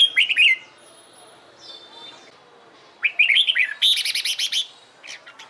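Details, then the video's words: Trained red-whiskered bulbul practising competition singing: short bursts of rich, warbled, slurred whistles around two to four thousand cycles, the second burst longer with rapid repeated chirpy notes, quiet pauses between. "LUYỆN CHÀO MÀO HÓT ĐẤU/ CHÀO MÀO MÚA HÓT CHÉ VUI NHỘN"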